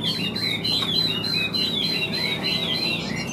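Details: Chinese hwamei kept in a cage, big-bodied with yellow bill and legs, delivering a long run of high, evenly repeated whistled notes over softer warbling, with faint indoor hum.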